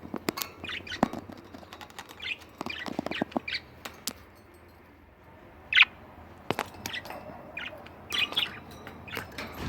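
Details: Domestic budgies giving scattered harsh squawks and brief chirps among frequent clicks and taps, with a quieter pause midway before one loud squawk and renewed calling.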